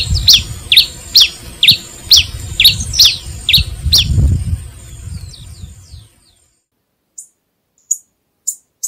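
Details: A Pileated finch gives a rapid run of high, sharp, down-slurred notes about two per second over a low rumbling background noise. After it stops, a few thin, very high clicks follow in silence.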